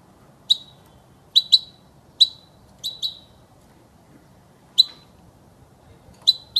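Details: ['For tutoring young birds, a European goldfinch repeats crisp, high chirps, single or doubled, at uneven intervals over about six seconds against near silence.']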